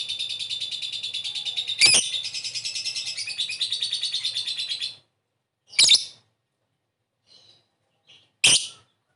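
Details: Calling lovebird producing ngetik and ngekek sounds meant to lure other birds into answering: a five-second high, rapid rattling chatter crossed by one harsh squeak, followed by three short sharp shrieks separated by silence.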